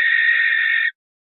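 A barn owl gives a single harsh, hissing screech lasting almost a second, steady in pitch, then cuts off abruptly into silence.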